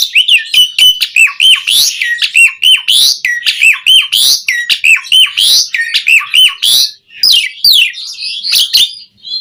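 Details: Asian pied starling song played to train caged birds to sing: repeated falling whistles interleaved with clicks and raspy notes in a fast, chattering sequence, ending in a jumbled burst.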